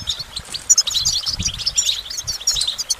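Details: Brief goldfinch passage: bright, high, rapid tinkling notes and twitters packed closely, over faint low background noise.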